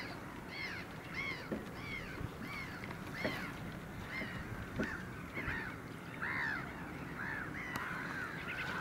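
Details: Caspian gull, the same individual recorded on 9 March 2016, calling in a long run of short, arched, nasal yelps, about two each second, with a few louder drawn-out cries, over low rumbling background noise and clicks.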